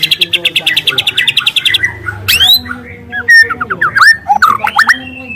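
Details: Long, loud canary-like bursts from a young wild white-rumped shama, meant to lure others: a fast even chatter of repeated notes for nearly two seconds, then varied swooping whistles and trills.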